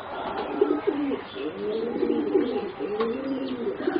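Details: Soft, wavering low coos from four young singing zebra doves bred for competition, around 3.5 to 4 months of age, notes bending up and down in a continuous phrase with faint clicks behind.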